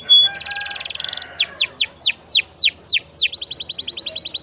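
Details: Singing canary used to provoke a quiet bird into song. A brief pure whistle leads into a rapid buzzy roll, then eight loud sweeping downslurred notes, ending in a quick repeated high trill.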